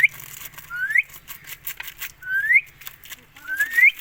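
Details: Indian ringneck parrot repeating a clear whistle that climbs steadily upward, three times at about one-and-a-half-second intervals, with soft clicks and a low hum between the notes.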